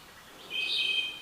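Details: A Wood Thrush heard along the Appalachian Trail during a 2022 thru-hike gives a brief, clear, flute-like phrase of high whistled notes, ringing for about half a second over faint outdoor hiss.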